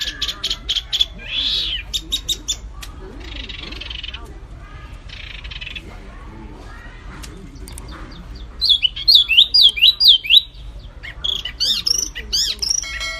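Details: White-eye song from a mastering recording that mixes wambi mini and kapas tembak voices: high scratchy bursts, then a run of quick up-and-down whistled notes near the end, with faint low background hum.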